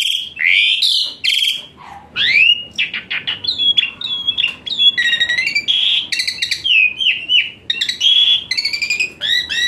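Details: Asian pied starling (jalak suren) in a full, richly filled song with hot-shot phrases meant as therapy for a lazy-singing starling: dense run of varied whistles, rising slurs, and buzzy chattering notes, with only short pauses.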